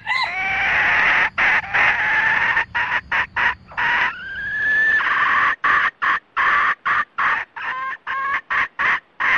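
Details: Red junglefowl rooster and hen calling the flock: a drawn-out, rising crow-like note, then quick repeated clucks, about three per second, in choppy bursts with sharp gaps.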